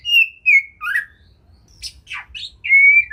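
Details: Caged white-rumped shama singing a training song rich in varied phrases: clear whistled notes around a steady pitch, a lower slurred whistle, then sharp downward-sweeping and buzzy notes before a final long even whistle, with short pauses between phrases.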